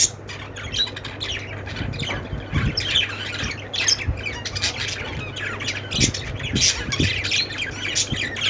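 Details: Budgerigars chirping: a dense, continuous chatter of harsh squawks and rapid chirps from several birds overlapping throughout, with a steady low hum underneath.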